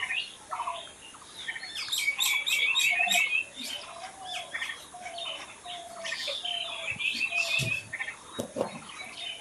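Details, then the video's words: Lively natural bird chorus: high squeaky chirps and sharp trills swell in the middle, with a row of soft, falling mid-pitched whistles and many overlapping twitters throughout. "Natural Birds Chirping"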